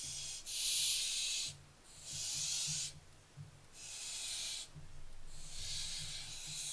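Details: Barn owlets recorded on 15 July 2024, making four long, harsh, breathy hisses, each about a second long, separated by short pauses, with a low hum underneath.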